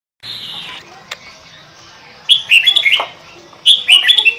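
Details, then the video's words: Sooty-headed bulbul (kutilang) in lively full song, used as a bird lure: after a hissy opening, bubbly whistled phrases of two to four notes burst out twice near the end. "Burung kutilang pikat gacor isian fulll"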